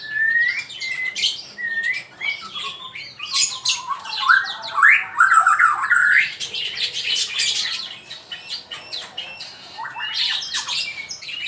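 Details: Singing male magpie-robin, used for training other birds: long varied performance of clear sliding whistles, rising chirps and rapid scratchy, buzzy passages, phrases following one another almost without pause for over ten seconds.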